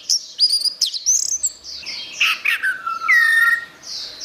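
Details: Orange-headed thrush song as a training recording for songbirds, with quick varied whistles, high sharp notes and a long descending whistled slur near the end, delivered in a busy, continuous stream.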